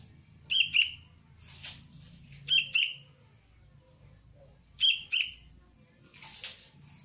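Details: Sooty-headed bulbul chick of the Cengkram line, trained as a lure bird, gives three pairs of short, piercing chirps spaced about two seconds apart, with two brief rustling bursts and a low hum between them.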